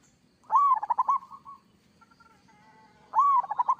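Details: Local zebra dove singing in the active kerot style: a rising whistled opening note slides into a rapid, pulsed cooing trill at mid pitch, then the phrase starts again about two and a half seconds later over a faint low murmur.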